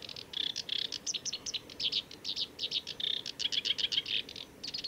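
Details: Black-browed reed warbler song at the Kita-Fuji training area, Japan, 29 July 2018: a fast, run-on stream of high, scratchy chirps and buzzy trills, repeating short notes in quick bursts with hardly a pause.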